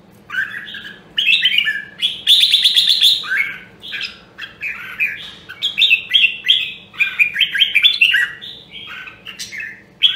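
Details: Red-whiskered bulbul from Nam Dong, Hue, Vietnam, a caged bird in song training. A rapid stream of warbled, whistled phrases runs almost without pause and includes a long, grating buzzy rattle early on. A steady low hum sounds behind.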